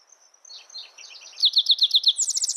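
Spotted towhee song: a few soft, high introductory notes, then a rapid series of sharp chips that runs into a dry, buzzy trill.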